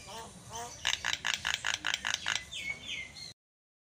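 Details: Javan myna song used to provoke rivals: faint rising whistles, then a quick run of about ten harsh buzzy pulses and two falling whistled notes, with background hiss.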